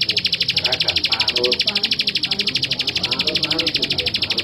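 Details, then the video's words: Steady, fast train of harsh, buzzy notes from a male bar-winged prinia, roughly three per second, evenly paced throughout, over a low background murmur. "Suara Ciblek Sawah Jantan"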